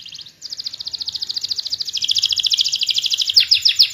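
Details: Canary song played as a lure to coax canaries that have stopped singing back into song: a rapid rolling trill of tightly packed high notes that grows steadily louder, ending in a few sharper downslurred notes.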